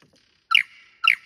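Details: Lyrebird performing its song in cool, wet rainforest at Tarra-Bulga National Park, Victoria: two loud, squeaky, ringing notes about half a second apart, each trailing into a thin sustained whistle.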